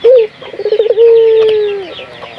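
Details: Local puter dove calling as a lure to get other doves cooing. A short low note, a quick bubbling trill, then one long drawn-out steady coo that fades, with faint high chirps behind.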